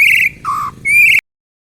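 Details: White-rumped shama song meant to provoke idle shamas into singing: three loud sustained whistled notes, high, then lower, then high again, ending abruptly.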